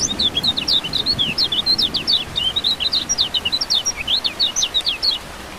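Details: Kecial kuning (lemon-bellied white-eye) giving a lively five-second stream of high, rapid chirps and squeaky slurs, nearly continuous, with only faint background hiss; part of a rain-therapy track to stimulate singing.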